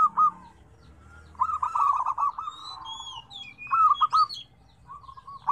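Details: Zebra dove song in a lively mix of five tone combinations: a brief coo, a rippling phrase of staccato coo notes, then a shorter burst. Clear higher whistled notes from another bird sound between the phrases.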